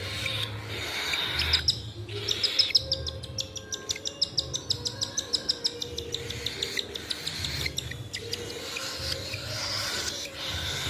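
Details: Cockatiel (Nymphicus hollandicus) baby being hand fed at home gives rapid, rhythmic, raspy begging squeaks for food.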